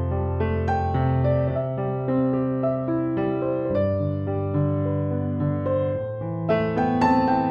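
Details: Electric piano or keyboard music plays steadily throughout, with sustained chords and a melody and no animal voice.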